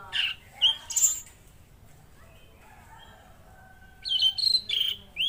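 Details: Mangrove blue flycatcher song: short high whistled notes and a sharp chip, a quiet stretch with faint thin tones, then a renewed series of clear sliding whistles.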